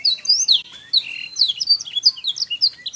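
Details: Master recording of canary song played repeatedly to young canaries so they respond and start singing quickly: a fast run of bright, high whistled notes and sweeping chirps, with a short steady trill near the middle.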